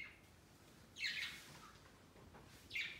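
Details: Budgerigars flocking on an indoor Christmas tree placed beside their cage on Christmas Day; two loud, raspy chirps roughly two seconds apart, each dropping in pitch, with a faint softer call between them.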